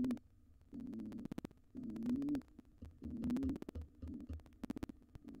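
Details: An intruding wild pigeon pair trying to occupy a nest box after the resident pair's nestling left: irregular low cooing with a short rising phrase, mixed with soft thumps and clicks.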